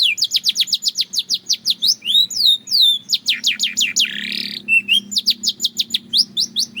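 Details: Belgian canary in sustained song: long runs of rapid descending chirps, a few swooping whistled phrases, a rough buzzy burst near the middle, then more quick chirping. Faint low hum beneath.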